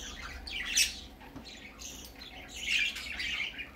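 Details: Young budgerigar on its first trip out, with a sharp squawk early on, then quieter scratchy chatter building to a second burst of squawks.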